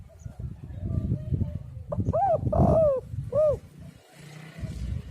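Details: Spotted dove calls for luring doves: a short burst of arched, hollow coos in the middle, surrounded by low rumbling background noise.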